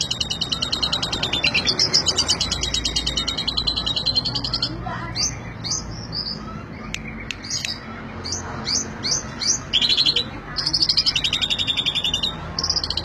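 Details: Asian pied starling (jalak suren) singing an energetic ngentrok-style song: rapid buzzy trills and chattering notes, then clipped whistled phrases and more fast rattling bursts.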